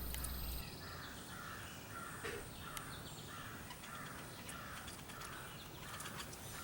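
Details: Young female woodpecker, hatched about three weeks earlier, crying for more food as the father brings food up a hollow tree in a front yard, mother nearby; harsh, buzzy calls repeated roughly twice a second over steady background hiss.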